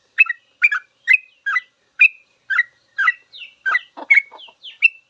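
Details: Sooty-headed bulbul in long 'ropel' song meant for cage-bird tutoring: evenly spaced bubbly whistled chirps, then a few higher thin notes and a burst of lower, harsher chattering sounds near the end.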